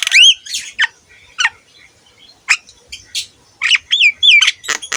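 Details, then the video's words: Javan myna (jalak kebo) song meant for tutoring other mynas: loud rising and falling whistles alternating with short harsh clicks and squawks, with brief pauses between phrases. "KICAUAN BURUNG JALAK KEBO GACOR COCOK UNTUK MASTERAN SEMUA JENIS JALAK"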